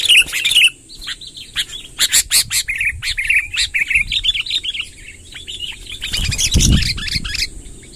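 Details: Chatty sooty-headed bulbul giving long rolling song to lure wild bulbuls: an intense opening burst, then a steady stream of rapid bubbly whistled notes for several seconds, with a low thumping noise near the end.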